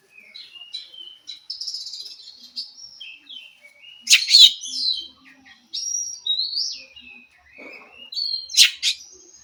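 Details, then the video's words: Wild forest Oriental magpie-robin singing, used to stir a captive bird that is reluctant to sing: a varied run of high whistled and slurred notes, some buzzy bursts, with short pauses between phrases. "Suara Kacer asli hutan mampu merespon Kacer yang malas bunyi Kacer macet"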